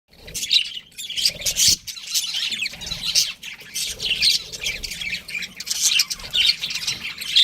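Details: A pet breeding pair of budgerigars chattering: dense, scratchy, high chirps and squawky notes in quick overlapping bursts, with brief dips between phrases and a steady flow of chatter throughout.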